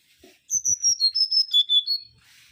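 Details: Mangrove whistler, a bird of lowland, coastal and mangrove forest, giving a loud series of about eight clear whistled notes stepping down from high to lower pitch, each note short and evenly spaced, with faint clicks before.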